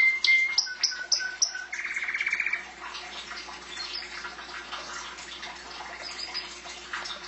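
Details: Canary song: a few sharp high whistled notes and a short fast rattling trill, then fainter twittering over a steady low hum in the room.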